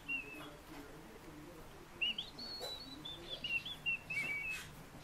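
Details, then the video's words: Fieldfare song opening with a single whistle, then a longer chain of high squeaky notes and flat whistled phrases that falls slightly toward the end. "Turdus pilaris рябинник"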